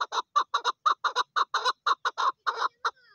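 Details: Female chukar partridge calling: a rapid series of short harsh clucking notes, about two per second, in uneven clusters, each note a broad burst with a strong low band and fainter upper harmonics, ending with a few thin higher notes.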